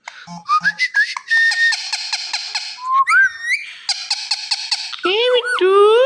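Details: Indian ringneck parrot, talking pet, gives stuttering whistled chirps that climb in pitch, a long buzzy run, a looping squeal, then harsh voice-like drawn-out notes.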